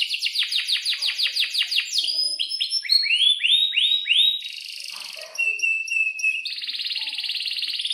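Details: Singing Atlantic canary, a vigorous breeding-condition bird whose long rolls serve as a model for young canaries; quick repeated down-slurred notes, then rising swoops, a whistled tone and a fast buzzy trill.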